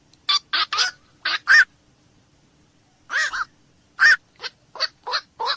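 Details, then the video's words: At night, a black-crowned night heron gives harsh, barking squawks, a fast cluster of four, a pause, then a loud burst and a string of shorter croaks. "SUARA BURUNG KOAK MALAM"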